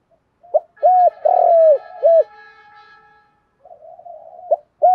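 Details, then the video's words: Male and female spotted doves cooing to provoke wild-caught doves into calling: a burst of short hoots around a long coo, a faint steady tonal hum behind, then soft murmuring and a fresh hoot at the end. "tiếng chim cu gáy kích bổi"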